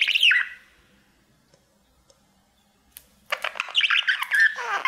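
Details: Pet male budgerigar singing to his mirror: a short whistled chirp, a few seconds of near silence, then a loud run of scratchy chatter and descending squeaks.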